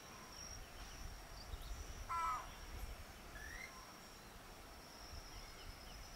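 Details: Single short, harsh, frog-like croak of a Keel-billed motmot at Rio Santiago, Honduras, set against a continuous high insect buzz and a faint chirp from another bird.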